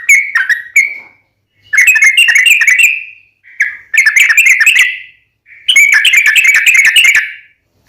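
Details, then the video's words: Sooty-headed bulbul lure song in bursts: fast chattering runs of bright whistled notes lasting about a second, separated by short silences, with a few single whistles before the first burst. "SUARA trucukan gacor RAJA PIKAT tarung ropel panjang"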